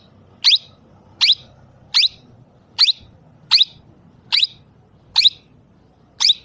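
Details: Talking parrot repeating one brief, piercing, high call eight times at a steady pace of a little under one per second over a soft background hum.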